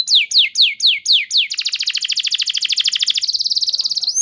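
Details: Lure canary song for training birds to sing in the long-shooting gacor style: six slow downslurred whistles, then a long rapid rolling trill, ending in a higher fast trill.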